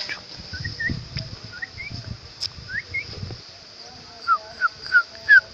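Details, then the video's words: Sooty-headed bulbul found at its nest during a nest search: after rustling and handling noise, four clear, short, downward-slurred whistled notes come at a steady pace near the end, with fainter similar notes earlier. "Burung Trucuk Gacor"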